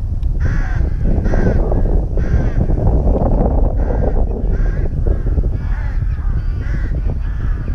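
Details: Rooks at a nest in a breeding colony at Tyrnovo, giving harsh, hoarse caws in a steady series of about nine calls spaced under a second apart, several overlapping, over constant low rumbling background noise.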